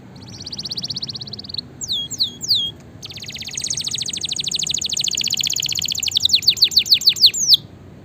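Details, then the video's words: Lively canary singing as a master recording to prompt lazy birds: a steady buzzy roll, a few quick downslurred notes, then a long rapid trill that slows into loud repeated falling sweeps. "suara masteran dan pancingan burung kenari gacor"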